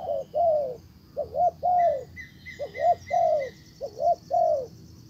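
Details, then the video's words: Caged decoy spotted dove calling to lure a wild dove, which ignores it and leaves. Low, mellow coos come in repeated phrases: a quick double coo, then a longer drawn-out coo, several cycles. Faint higher chirps from another bird sound midway. "Cuckoo Bird : Mồi rút bổi về, Bổi làm lơ đi luôn"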